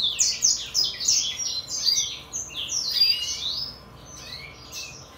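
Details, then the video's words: A 2022 brimstone canary x greenfinch hybrid delivers fast, high-pitched twittering song of chirps, short trills and slurred notes, growing softer and more scattered toward the end. "2022 hybrid (brimstone canary x greenfinch)"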